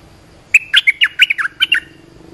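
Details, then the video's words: Olive-winged bulbul call played to train young birds and lure wild ones: after half a second of quiet, a fast burst of about eight chattering, bubbly notes, each sliding down and up, lasting just over a second. "เสียงนกดอกแตงEp.248 เปิดหัดลูกเสอ ลูกใบ้ เสียงเรียกนกป่า Suara pikat merbah lekir gacor"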